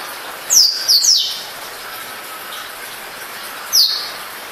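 Black-throated canary giving high, thin, sharply downslurred notes: three in quick succession, then one more after a pause of about three seconds, over a steady soft hiss.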